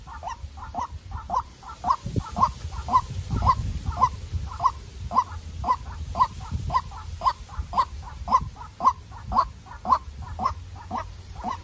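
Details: Young decoy white-breasted waterhen, farm-raised, locked in an intense calling duel with a wild bird: a long run of about twenty-two gruff, repeated notes at a regular two-per-second beat, over low background rumble.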